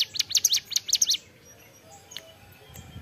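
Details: Hill prinia giving a short burst of rapid, high, snapping ceplekan notes lasting about a second, followed by near silence with a couple of faint clicks.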